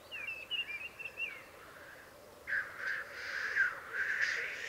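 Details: Black grouse at a lek in the Piedmont Alps, Italy: thin whistled notes early, then a long harsh hissing sneeze after a pause, over a constant low bubbling drone.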